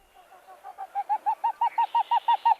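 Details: A Pied-billed Grebe gives a cooing series: hollow notes start soft and quick with higher-pitched lead-up, then swell into about a dozen loud, evenly spaced cow-cow notes.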